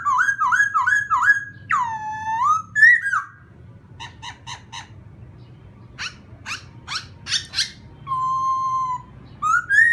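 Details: To provoke another bird, a laughingthrush delivers rapid wavering whistles, a deep swooping note, bursts of sharp clicks, and a long steady whistle, then rises again at the end. A low hum runs throughout.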